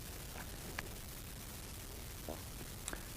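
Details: Faint static hiss with a few soft ticks and rustles, and no clear animal voice.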